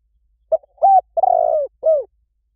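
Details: Large dove calling in Thailand; a short note followed by three low, hollow cooing notes, the third longest and slightly falling, clean with no other sounds.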